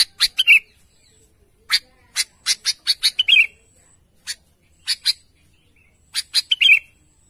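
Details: Sooty-headed bulbul calling its companions with clusters of crisp chip notes in quick succession. Three short, slurred, liquid notes are spread through the sequence, with brief silences between the groups.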